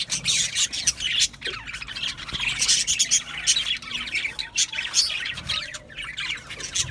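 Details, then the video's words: Several budgerigars chirping together in a dense, continuous chatter of high, quick twittering notes and scratchy squawks that overlap with no break. "Budgie Parrots Chirping sounds"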